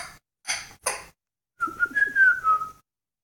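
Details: African grey parrot doing animal-sound imitations: a few breathy clicks, then a sustained clear whistle held steady with slight rises and falls for over a second.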